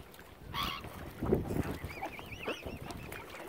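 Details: Angry mother swan at Lough Neagh, Ireland, hungry because algae has killed its normal food supplies; a harsh nasal honk bursts out early, then rough lower calls, while a thin wavy chirping trill from a small bird runs behind.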